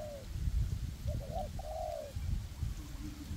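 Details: Spotted dove decoy in a windy forest calling to draw wild doves for trapping; a lone phrase of two short notes and a long arched coo, with gusty low rumble around it.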